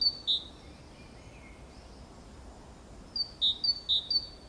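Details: Great tit by a nest box, Valencia, 24 April 2015, singing: one high-low note pair, a long quiet stretch with faint background noise, then a quick run of three or four similar paired notes.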